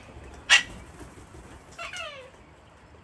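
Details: Wild cockatoos from a flock being hand-fed on a home deck in Australia during cold, wet winter weather; a short harsh burst, then a raspy screech sliding downward, with quiet background between calls.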